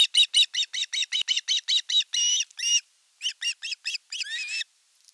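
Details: Nest camera in Satakunta, Western Finland, 5 August 2024, catching osprey calls as the elder chick attacks the younger during fish delivery. Rapid chirps, then two longer whining whistles, a pause, and more chirps ending in a squeal.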